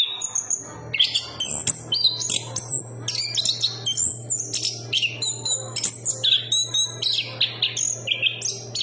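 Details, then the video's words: Chestnut-capped thrush singing busily in rapid, varied high phrases of short whistled and chattering notes. A steady low electrical hum runs throughout. "Burung Anis kembang berkicau"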